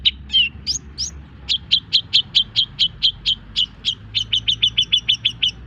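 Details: Long-tailed shrike singing in a tutor recording: a rapid string of short, bright chips, with a few upswept notes at the start, then even repeats at roughly two or more per second.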